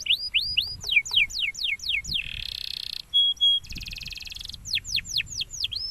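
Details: Champion canary song: repeated falling whistled notes about four per second, then buzzy rolling trills and a steady high note, before the falling whistles return; faint low background noise.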